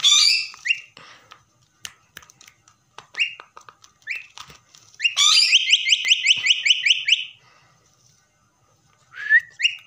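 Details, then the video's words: A pet common myna gives sharp rising whistles and clicks, then a long rapid run of a dozen or so identical chopped whistled notes lasting about two seconds. A final rising whistle follows after a quiet gap. "myna whistling"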